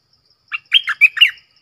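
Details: Red-whiskered bulbul, double-phrase song style with a clear voice: one short chirp, then four quick liquid notes that rise and fall, lasting about a second in a quiet setting.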